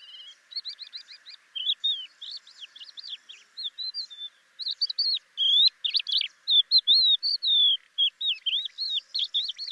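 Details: A crested lark in Córdoba sings a fluent, varied stream of clear whistled phrases, sliding notes and quick chirps, high-pitched and nearly continuous, with faint background hiss.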